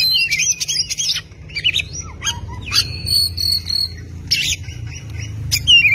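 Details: Oriental magpie-robin, recorded as a masteran (tutor recording for training other birds): loud, varied song of clear whistled phrases, sharp upsweeps and buzzy bursts, with a long steady whistle near the middle, over a low background rumble.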